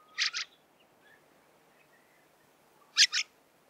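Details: Fieldfare uttering a double harsh chack-chack, then near-silence with faint soft notes, then another loud grating pair of chacks about three seconds later.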